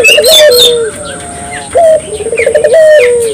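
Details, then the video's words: Barbary dove singing, used to get local doves singing: a drawn-out falling coo, a pause, then a sharp note and a quick pulsing trill ending in another long note, with bright chirps of other birds at the start. "suara burung puter gacor,merangsang burung puter lokal ikut gacor"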